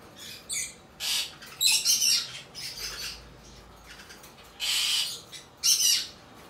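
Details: Albino cockatiel chick kept hand-tame in Fukuoka, Japan, recorded 28 August 2023; rough, breathy rasping calls come in uneven bursts, some doubled, separated by quiet stretches.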